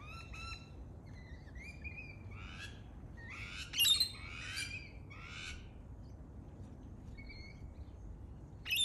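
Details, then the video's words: Lorikeet, an Australian parrot, with a mix of thin whistles, buzzy rising notes and a few loud raspy screeches, ending in a sudden shrill burst against a quiet background. "Lorikeet Parrot Sounds"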